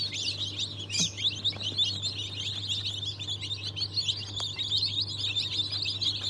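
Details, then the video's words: A crowd of fresh Cream Legbar, Australorp and Ayam Cemani hatchlings from 07.02.2023 giving a busy, slightly softer wash of shrill cheeping, with a constant low hum and a few faint knocks. "Yeni Çıkım 07.02.2023 - Cream Legbar,Australorp,Ayem CEMANİ"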